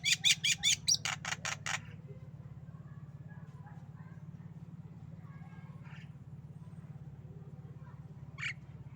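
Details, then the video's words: Tame Javan myna coughing and laughing: a fast run of about eight loud, harsh bursts in under two seconds, then quiet hum with a few faint notes and one last rasp. "Jalak kebo Batuk Dan Ketawa"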